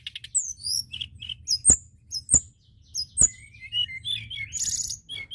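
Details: White-browed shortwing (tledekan gunung) singing hard as a lure: scattered high twittering notes broken by three sharp clicks, then a rambling warble ending in a rapid buzzy trill.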